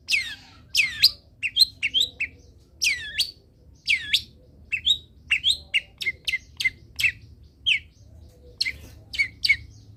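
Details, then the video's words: Long-tailed shrike song for teaching other birds: varied sequence of downward-swooping whistles and short sharp chirps, closely spaced, steady through ten seconds over a low background hum. "MASTERAN CENDET ANTI GAGAL - CENDET MANAPUN IKUT BUNYI DENGAR INI"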